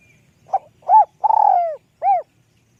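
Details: A single spotted dove phrase, high-voiced, in the lûk kòk style. A soft opening coo and a round hoot are followed by a long tremulous coo that falls and fades, then a final full coo over near silence.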